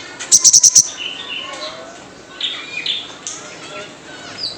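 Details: Wild sunbird lure call: a rapid burst of five or six piercing, very high notes in under a second, followed by softer, thinner warbling whistles in the background.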